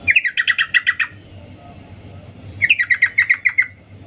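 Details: Sooty-headed bulbul female calling the male in two long rapid rattling series of 'cuk cuk' notes, about ten notes each, separated by a pause of over a second.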